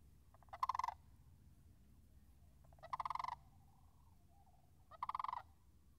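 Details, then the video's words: Sandhill crane calling near a marsh on March 26th, 2019, while the wetland puddles are frozen: three loud, pulsing, rattled calls about two seconds apart, with faint softer notes between them. "Wetland Marsh Audio - Sandhill Cranes"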